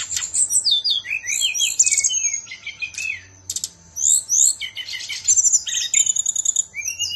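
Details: Bali caged songbird singing dense, excited warbling with rapid chattering trills, slurred high whistles and scratchy bursts, one short pause midway, over a faint steady hum.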